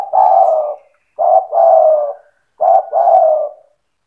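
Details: Spotted dove in lively 'cetretan' style song, meant to provoke other doves into calling. Three phrases about every 1.4 seconds, each a short coo then a longer throaty, slightly falling coo, in near silence.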